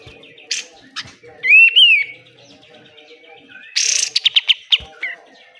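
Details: Pied triller singing vigorously, recorded as a tutor for caged birds: scattered clicks, an arching whistled phrase rising then falling, and later a harsh rasp followed by a rapid run of buzzy pulses.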